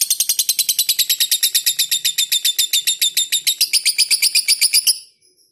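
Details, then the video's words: Lovebird giving its long ngekek song with tightly spaced notes, recorded as a tutor track: a fast, steady stream of sharp, high chattering notes, about four per second, running unbroken for five seconds before stopping. "Lovebird Ngekek panjang jeda RAPAT"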